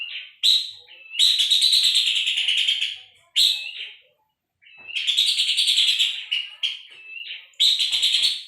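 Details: Puff-throated babbler song recorded as a tutor for songbirds: loud, grating rattles of rapid pulses in several bursts lasting one to two seconds, linked by short whistled notes, with a silent gap of about a second midway.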